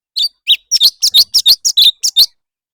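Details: Leafbird competitive song: a dense string of high, sharp chirps and doubled slurred notes, about twelve bursts in barely two seconds, the calls coming almost back to back.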